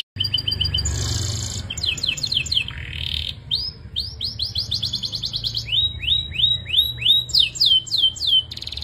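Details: Belgian canary singing continuously, a varied flow of high trills, brief buzzy passages and rolling series of rising whistled notes delivered several per second, over a faint low background hum.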